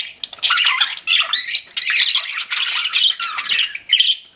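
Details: Budgerigars kept as pets chatter in rough, warbling squawks and squeaky trills, a tight continuous run of overlapping notes.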